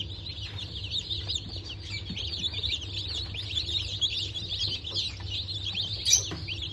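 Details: Many day-old Bantam Cochin and Sussex chicks from a hatch dated 3 November 2024 keep up a continuous high-pitched peeping, short falling notes overlapping, with one sharp louder cheep near the end and a faint low hum.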